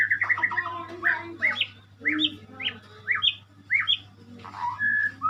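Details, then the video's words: White-rumped shama (murai) singing a series of short, sharp upward-sweeping whistled notes spaced about half a second apart, with chattering notes at the start and a clear whistle near the end, over a low hum. "burung muray , burung berkicau , burung bernyanyi"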